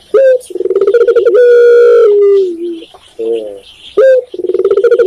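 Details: Close spotted dove, locally tekukur, in Indonesia: a bright short coo, a buzzing rolled trill, and a long coo sliding gently lower, then a muffled low coo and the start of the next phrase.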